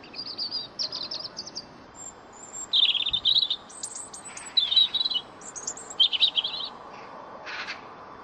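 A European robin sings varied, high, thin phrases: sweet twittering trills and rapid chattering bursts, each lasting under a second, separated by brief pauses.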